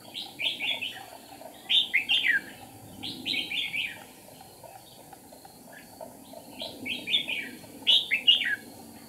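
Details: Red-whiskered bulbul used as a trapping decoy on 8 April 2019, flicking wings and tail to draw wild rivals: short, clear warbled phrases of three or four quick notes, repeated at intervals of about one to two seconds, low rustling behind.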